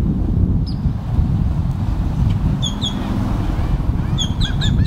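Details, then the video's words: Seagulls and black-headed gulls yelling, recorded with a Rode Stereo VideoMic: a few short, high, sharp cries come in bursts near the end over a heavy, steady low rumble of wind or surf. "Loud Bird Sounds, Seagulls Yelling"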